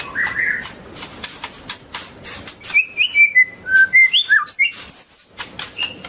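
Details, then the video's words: A long-tailed white-rumped shama gives a string of short, pure whistled notes, each at a different pitch, some rising and some dropping, after a stretch of clicking, rustling noise. "Kicau murai batu ekor panjang super"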